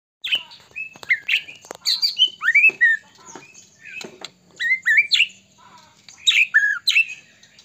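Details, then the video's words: White-rumped shama of the Medan type, singing continuously with a song full of fill notes, used as a lure to make other shamas sing and get agitated. Rapid bursts of sweet slurred whistles and sharp chips, rising and falling, in quick phrases. "murai batu gacor AMPUH buat PANCINGAN murai batu agar bunyi JADIKAN burung murai GACOR & EMOSI"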